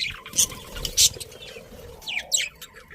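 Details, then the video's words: Two loud, sharp budgie chirps ring out, followed by a run of quick descending squeaky notes in a short chattering burst. "Cute Birds Chirping Sounds"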